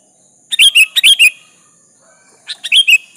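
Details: Energetic sooty-headed bulbul calling a rival to answer: a loud run of five chirpy, slurred whistles, then a quieter, similar phrase after about a second and a half.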